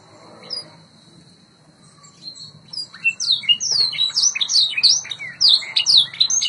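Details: White Yorkshire canary singing for training: quiet opening with scattered notes, then from three seconds a steady run of repeated swept whistles about twice per second.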